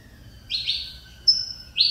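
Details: Mineirinho-style Saffron Finch, bred in captivity, returning to song after nearly two years of feather problems. It gives three bright, buzzy phrases, the first sliding downward, then a high clear whistle and a rising note, over low hum.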